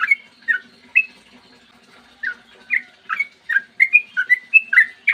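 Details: Sooty-headed bulbul in clear morning 'ropel panjang' song, used as a lure to make other bulbuls sing; a few spaced whistles, a pause, then an accelerating string of bubbly up-and-down notes.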